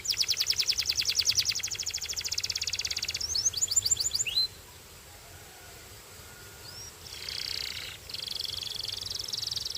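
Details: Belgian canary song opening with a dense rapid trill for about three seconds, then a few quick descending sweeps, a quiet gap, a single upswept note and a short buzzy burst.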